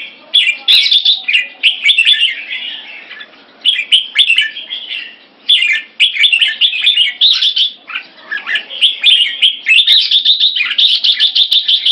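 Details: Red-whiskered bulbuls kept in Singapore, in a keke training session that pits two caged birds against each other. Dense chattering, warbling phrases come in bursts of a second or two with brief pauses. Faint high ticks sound throughout.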